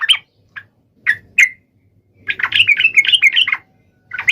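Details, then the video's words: Sooty-headed bulbul challenging a rival: a few scattered single chirps, then a rolling, tumbling burst of varied warbled notes lasting about a second, then a new phrase starting. "SUARA trucukan gacor MEMANGGIL LAWAN"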